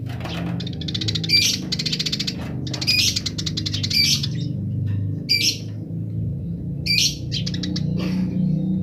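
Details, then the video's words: Wild Eurasian tree sparrow giving 'grece' chatter while other wild sparrows answer. Loud, dense bursts of sharp high chirps, each about half a second, come in quick groups with brief gaps, over a constant low rumble. "suara burung gereja liar grece"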